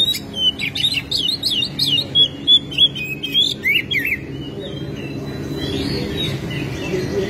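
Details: Oriental magpie-robin, tail spread, giving rapid whistled and chattering phrases for about four seconds before it falls quiet, over constant low rumbling background noise.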